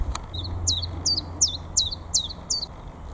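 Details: Common chiffchaff (Phylloscopus collybita) in full spring song, 22 March 2022, North East England, among the first warblers back from migration: high clipped 'chiff-chaff' notes about three a second, stepping between two pitches, over a low hum.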